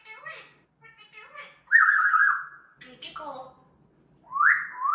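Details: Three parrots conversing, the mischievous one cutting in: soft speech-like babble, then a loud sustained whistle sliding slightly downward, more mumbled chatter and a closing rising whistle.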